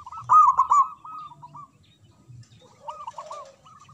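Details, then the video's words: Local zebra dove singing manggung with a large voice, used to provoke mute doves; a loud rapid rolling phrase at the start fading into short coos, a quiet gap, then softer coos paired with a lower dove. "Perkutut Lokal Gacor Suara Besar Manggung"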